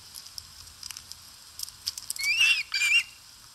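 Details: Wild osprey at a Finnish nest camera in Satakunta, August 2022, feeding; scattered soft clicks and rustles lead into two loud high whistled calls, the first sliding upward then flattening, the second shorter.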